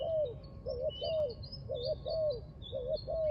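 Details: Spotted dove cooing near a trap, short wavering notes alternating with longer falling coos in quick succession, while thin high whistles of other birds run through the background.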